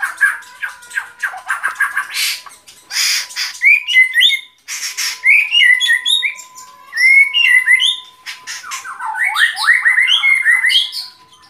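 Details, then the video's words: Busy white-rumped shama song of rapid chips, harsh bursts and bright whistled slurs that repeat quickly, over a faint constant electrical hum. "Relaksasi suara Burung Murai Batu"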